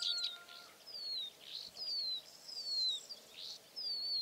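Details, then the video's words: Rock bunting singing while perched on gum rockrose in barren, rocky habitat. Thin, high whistled notes slide downward and repeat about every second, soft against a steady hiss of background noise. "Die Zippammer singt auf Cistus ladanifer"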